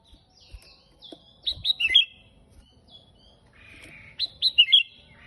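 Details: Energetic gacor song of a sooty-headed bulbul, known locally as kutilang: two loud phrases of four quick, falling, liquid whistled notes, separated by quieter chatter and soft ticking.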